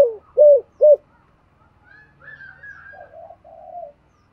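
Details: Cooing spotted dove with a 'thổ' voice, meant to stimulate other doves: three loud rounded coos in quick succession. They trail off into faint, soft murmuring notes.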